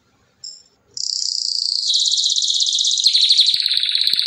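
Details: After a brief whistled note, a canary launches into a fast, high rolling trill that thickens into a louder, buzzier warble to the end.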